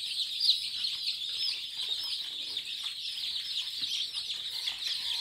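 A crowd of day-old Kadaknath chicks peeping nonstop, a dense chorus of high, thin cheeps that overlap without pause.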